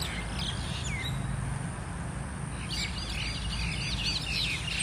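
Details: Several mynas fighting in a group squabble, a few high, scratchy notes followed by a burst of harsh, overlapping chatter over a steady low rumble of background noise.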